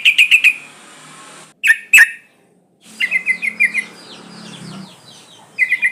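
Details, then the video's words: Female sooty-headed bulbul in breeding condition calling males: quick bursts of about five bright chattering notes, a short double note near two seconds, then a longer chattering run; faint high descending whistles of other birds behind. "Suara pancingan burung trucuk gacor"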